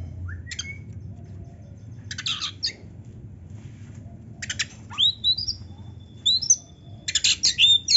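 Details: An Oriental magpie-robin (kacer) sings a training-master song packed with 'isian' phrases: scattered harsh buzzy bursts alternate with sharp rising whistles and a long thin held note, growing denser toward the end.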